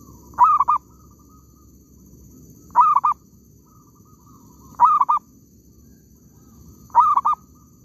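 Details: Zebra dove in an oil palm plantation, recorded while trapping, gives four short cooing phrases roughly every two seconds, each a brief upward note then a rapid, gurgling run of soft coos, with a faint low hum behind.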